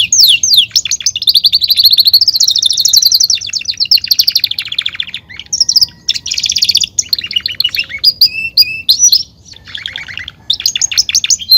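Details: Domesticated Belgian canary, a male cage bird, pouring out a long varied song: rolling trills, swelling buzzy phrases, brief sharp whistles and rapid chip series, almost without pause.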